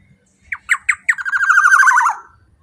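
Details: Powerful black-naped oriole call meant to provoke other orioles: three or four staccato rasping notes, then a rapid buzzy chattering rattle for about a second, sliding slightly lower before fading to silence.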